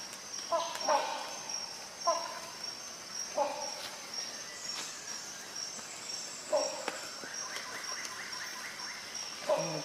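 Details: Rhinoceros hornbill (Buceros rhinoceros) giving loud, harsh honking calls spaced one to three seconds apart, over a steady high insect drone with faint calls from other birds.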